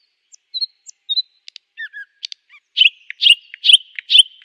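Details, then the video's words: A nightingale sings a varied phrase: thin high whistles and clicks, then a run of five loud, rich notes repeated about twice a second, with nothing else heard. "nightingale singing"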